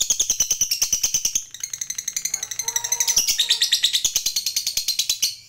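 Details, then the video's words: Lovebird, a fighter-type bird, in long ngekek chattering song: rapid high-pitched chirps repeated about three per second, shrill and metallic, rising in pitch toward the end, with a brief soft tonal note midway. "Suara Burung Lovebird Ngekek Panjang"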